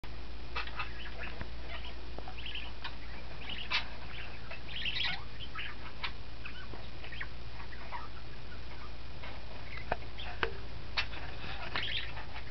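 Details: Young pet budgerigars chatter in a steady stream of quick, scratchy chirps and warbles over a low hum.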